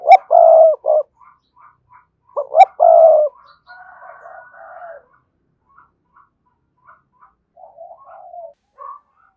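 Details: A decoy spotted dove with a good, energetic 'thúc' voice gives two cooing phrases close together, each two short notes and a long hollow coo, followed by softer, lower murmured notes.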